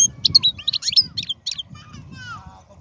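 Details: European goldfinch, wild type and strong-voiced, giving a jumble of high twittered notes and a descending whistle over steady low rumbling noise.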